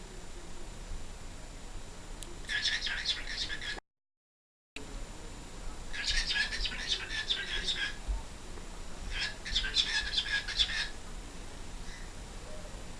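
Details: A pet cockatiel at its peak talking time gives bursts of scratchy, chattering chirps in short clustered runs.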